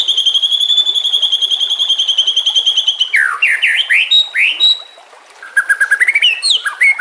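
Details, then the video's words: White-rumped shama training song with natural sounds and trickling water: a long, fast, level buzzy trill lasting three seconds, then swooping whistles and a pure note, a quiet gap, and a closing rapid rising trill. "Masteran murai TERAMPUH yang di pakai semua burung juara"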